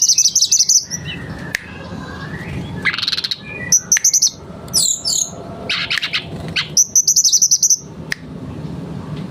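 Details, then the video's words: A mangrove blue flycatcher in full, varied song, repeating fast shrill trills of piercing notes, then scratchy, warbled and chattering phrases, with occasional sharp knocks in the background. "Pancingan Tledekan bakau gacor bongkar materi"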